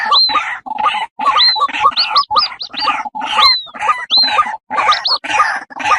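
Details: Female white-breasted waterhen with her chicks, a sound also used in the wild to lure these birds: rough, grating notes in quick bursts mixed with thin, upward-sliding whistled peeps, repeated about every half second.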